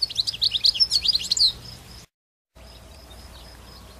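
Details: Wild goldfinch out in the countryside giving a quick jumble of sharp, high chirps and liquid twitters for about one and a half seconds, followed by a brief silent gap and then a faint thin steady hum.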